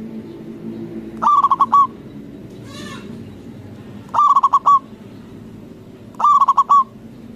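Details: Local zebra dove, known as perkutut, with a loud call used to provoke rival doves into answering: a cooing phrase of several quick pulsed notes, repeated three times at intervals of two to three seconds, over a low background murmur.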